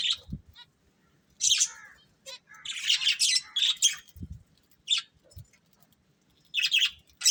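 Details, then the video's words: A breeding pair of budgerigars chirping: bursts of scratchy, high chatter in short irregular clusters, with quiet gaps between them and a few soft low thumps. "Cute Budgies Chirping Sounds"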